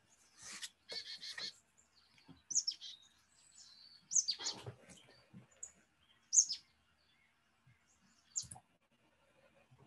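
Marsh tit alarm calls: sharp, high chips and short buzzy bursts coming in irregular clusters a second or two apart, with faint background noise.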